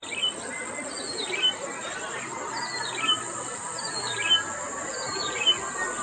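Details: A yellow-bellied prinia in Okhla Bird Sanctuary repeats a short, bright, tumbling phrase about once a second, with a steady high insect drone behind it.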